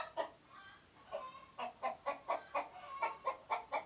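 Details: Chicken clucking in a quick, steady series, about two clucks a second, clipped and nasal, over a hissy background.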